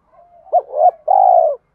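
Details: A single spotted dove phrase meant to goad another male into fighting. A soft murmured lead-in rises into two short, bent notes, then one long, steady, slightly falling coo.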